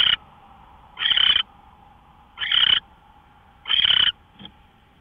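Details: Owl on a live camera before dawn, 5:27 AM, March 24 2013; repeated harsh, airy screeching bursts roughly every 1.3 seconds, followed by a short faint fragment, against a quiet humming background.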